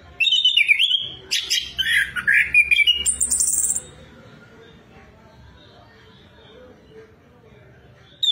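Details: Orange-headed thrush, a songbird of Southeast Asian forests, singing as a lure to stimulate another bird to sing: about four seconds of loud, varied whistled phrases with high buzzy notes, then near silence until a brief final note.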